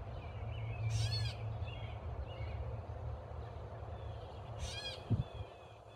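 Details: A catbird squawking at a person gives two harsh, raspy squawks about four seconds apart over a steady low rumble of wind or background noise.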